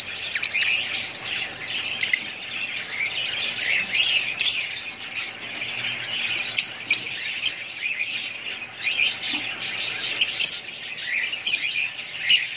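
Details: Busy budgie chatter made of rapid high clicks, squeaks and scratchy warbles, punctuated by many short sharp chirps throughout.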